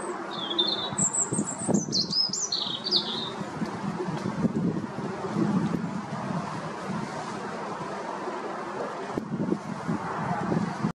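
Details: A European robin singing territorially atop a tall tree at a pond in Chesterfield, Derbyshire, UK gives one brief, high, thin phrase of sliding, wavering notes, then loud wind rumble and distant traffic.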